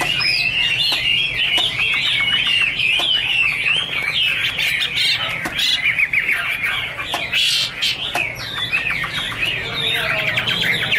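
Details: Chinese hwamei singing, 2017: a dense, unbroken stream of loud wavering whistles and quick slurred notes, with a faint low hum underneath.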